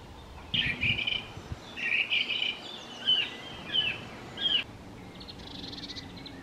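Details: Collared flycatcher (Ficedula albicollis) nesting in a garden, where the male sings to lure the female into the chosen nest cavity. Short squeaky, warbled phrases repeat roughly every second, followed by faint high trilling and low background rumble.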